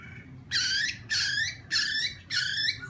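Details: Laughingthrush used to excite another bird, here giving four harsh, buzzy, broad-toned notes, each about a third of a second, spaced roughly every half second, quieter than the other recordings.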